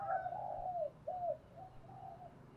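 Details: Decoy spotted dove song to stimulate newly caught birds: a drawn-out, mellow coo followed by a shorter one and then two soft, fading coos, all over a low background hum.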